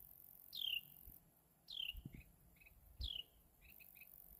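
A Carolina wren gives three sharp, high, downslurred chirps about every 1.3 seconds, each trailed by soft quick notes; low thumps underneath.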